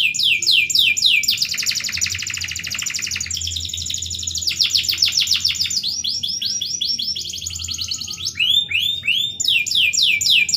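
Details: Vigorous canary song in the cengkok merdu style: swift repeated swooping notes give way to long, loud, buzzing rolls, followed by more rapid sweeping chirps, all bright and high-pitched with a faint hum beneath.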